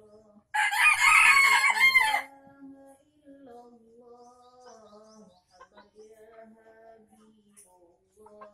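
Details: Lure recording of an Aceh junglefowl from Indonesia: a single loud, rasping crow of about a second and a half opens it. Long, quieter tonal notes and soft murmuring follow.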